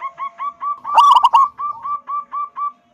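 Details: Loud-voiced local zebra dove, sung to prompt other doves to call: evenly spaced soft coos, a burst of rough stuttered notes near one second, then more regular single coos about every quarter second.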